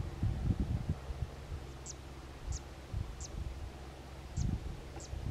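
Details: A Zitting cisticola perched on a post at Quinta do Pisão, Cascais, Portugal, gives sharp, high 'zit' notes, about five in a row at just under one-second intervals, over low wind rumble.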